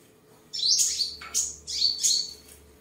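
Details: Seven-colour sunbird singing during display and sparring, Đồng Nai province, Vietnam, 23 July 2022: after a quiet start, four bright, very high-pitched twittering phrases tumble down in pitch, one after another, over a steady faint hum.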